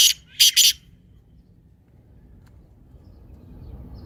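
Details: Black francolin call used to prompt silent or sluggish francolins to start calling: a brief burst of harsh, broadband, scratchy notes, one followed by a close pair, then quiet with low background hum.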